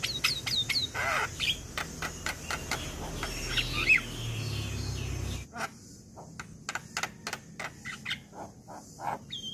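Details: Male Javan myna (jalak kebo) used as a lure sound: a busy run of sharp chirps, clicks and squeaky whistles, several per second, over a low background hum that drops away halfway.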